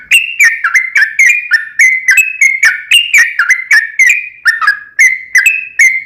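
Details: Continuous run of sooty-headed bulbul song used as a lure to provoke an answering song: fast, unbroken sequence of bright whistled notes, some rising and some falling, with crisp clicky onsets throughout.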